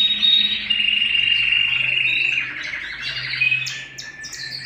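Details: Canary song recorded at home, a sustained high whistled note breaking into fast rattling trills and short chirped phrases, with a soft low hum beneath.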